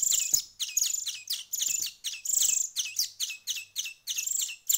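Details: Chicks hand-fed for about a week, called greenfinch chicks in speech, woken for a breakfast feed of soaked bread with chick food, give a rapid, almost unbroken run of high, thin chirps, several each second; finding: sparrow.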